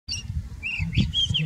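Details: White-browed scrub robin (Cercotrichas leucophrys) in Kruger National Park, South Africa, singing a brief phrase of clear, slurred whistles, each rising and falling, over a steady low rumble of wind.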